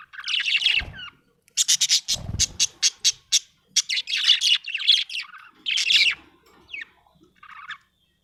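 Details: Happy budgerigar chattering almost nonstop: fast, buzzy, high chirps and squeaky warbled notes in rapid runs, broken by a couple of low thuds.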